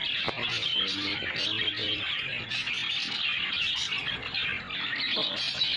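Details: Caged budgerigar pair that is not mating, giving continuous high, scratchy warbling chatter with short squeaks, steady throughout, with faint low background noise.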